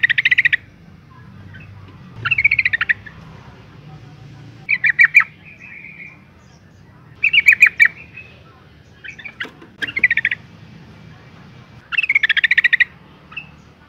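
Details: Female Yellow-vented Bulbul in breeding condition calling males to draw out their song; repeated short harsh chattering bursts roughly every two seconds, some ending in a trailing note.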